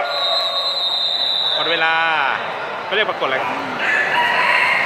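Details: A bantam rooster competing in a Thai crow-counting contest at a national pet fair, where each crow scores one point, gives one brief, hoarse crow that rises then falls, amid steady crowd murmur and a man's voice.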